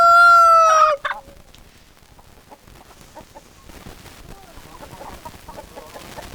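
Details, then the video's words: Chicken calling: one loud, drawn-out, harmonic crowing note that ends abruptly after a second, followed by soft, short clucks repeated irregularly over a quiet background. "Chicken Sounds Noises Hens Clucking Roosters Crowing"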